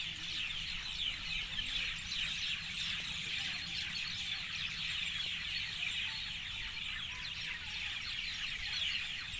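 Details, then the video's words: Evening birdsong from a large group: continuous shrill, downward-slurred chirps overlapping into a shimmering chatter over a quiet low drone. "গধূলিৰ সুমধুৰ পক্ষীৰ গান"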